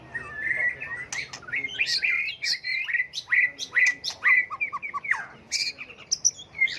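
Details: White-rumped shama switching voices continually in a song meant to goad birds into song contests: clear whistles, then strongly slurred notes repeated about twice a second, ending in quick low pips.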